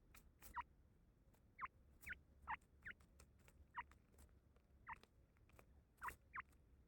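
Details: Young grey francolin (teetar) chick calling in a series of brief high peeps, spaced irregularly about half a second to a second apart, over low background rumble and occasional clicks.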